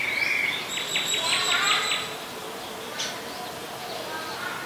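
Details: Adult Common Tailorbird (Orthotomus sutorius), a common resident, recorded on 27 January 2021 in Ubon Ratchathani, Thailand; a quick run of sharp, high chipping notes, with a thin steady whistle from another bird underneath and soft background hiss.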